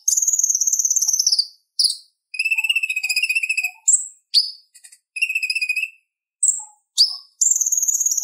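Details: Purple-throated sunbird (konin) singing for tutoring caged songbirds. Long thin high whistled trills alternate with lower rapid buzzy rattles and short sharp upslurred notes, broken by brief silences. Nothing else heard.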